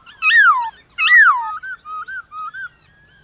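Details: White-cheeked laughingthrush dueling in song with wild birds in the morning: two loud, sweeping falling whistles, then a few soft, short arched notes.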